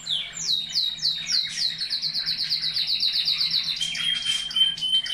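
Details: Breeding canaries, song played for stimulation: opening slurred descending notes speeding into a fast even trill, then a thin sustained whistle with sharp high chirps.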